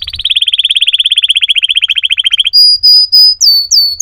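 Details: Canary song: a long, steady rattling trill of about twenty pulses a second, then clear, level whistled notes and swooping upslurs repeated in a slow series.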